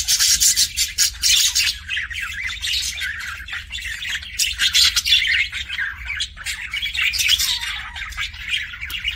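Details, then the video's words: Pet budgie producing kissing sounds: long, busy run of harsh clicking chatter and squeaky warble notes, loud at first, then easing slightly before swelling again, with a faint hum below. "BUDGIE KISSING SOUNDS"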